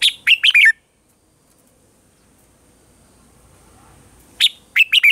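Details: Morning song of a red-whiskered bulbul with a mature wild-forest voice, meant for training caged birds: a rapid phrase of four or five sweet, descending whistles, a long silence, then the same lively phrase again.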